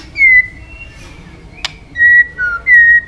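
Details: White-rumped shama training song: clear, pure whistled notes, steady or slightly falling, given in short separate phrases with a single sharp click between them.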